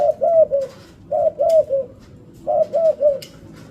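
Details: Spotted dove singing a stuttering-variation song (pesom ori style): three groups of low, soft, slightly rising coos, each group of three quick notes, about a second apart, with faint clicks in the background.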